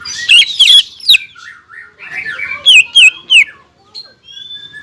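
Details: Greater green leafbird gacor song aimed at provoking rivals: loud twisting whistles, a quieter warbled phrase, then three strong, downward-sweeping whistles in quick succession and a thin fading note.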